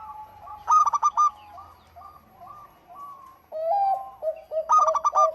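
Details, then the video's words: Local zebra dove singing: loud stuttered bursts of bright notes at start and end, with a middle stretch of soft, level cooing and a faint low hum. "Suara Burung PERKUTUT LOKAL GACOR"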